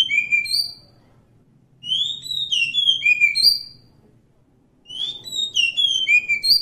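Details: Wild Oriental magpie-robin singing repeated phrases of clear whistled notes that swoop up and down, with pauses of about a second between phrases and a faint low background hum.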